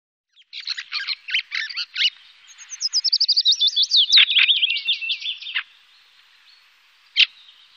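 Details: Fieldfare in Wittlich, 2018: a run of harsh, buzzy chattering notes, then a quick series of squeaky whistled slurs that fall in pitch, and one last sharp note after a pause.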